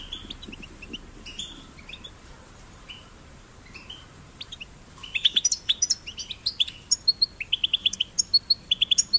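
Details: Goldfinch chicks singing, a recording meant to encourage singing: a few soft, scattered chirps at first, then a rapid run of sharp repeated tweets and short trills through the second half.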